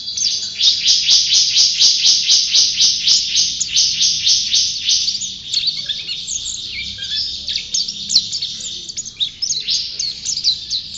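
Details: White-eye, a champion singer, opens with a fast series of clear repeated chirps, about four per second, then breaks into a jumbled, high twittering warble.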